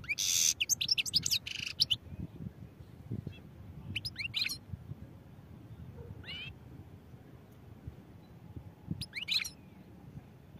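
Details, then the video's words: Goldfinch song: a short, dense burst of high twittering at the start, then scattered single chirps and brief trilled phrases spaced a few seconds apart against a steady low hum. "goldfinch songs | goldfinch singing"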